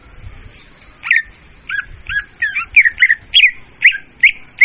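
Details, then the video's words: Leafbird song used as a trapping lure, clear and loud: after a second of near silence, a run of short, varied chirps and slurred whistles follows at an irregular pace, with about ten notes in under four seconds. "suara pemikat burung murai daun||suara jernih dan volume keras."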